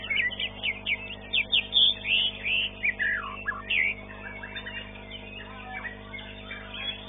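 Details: White-rumped shama singing at a songbird contest: a rich burst of varied whistles, slurs and trills for about four seconds, then softer twittering, over a low electrical hum.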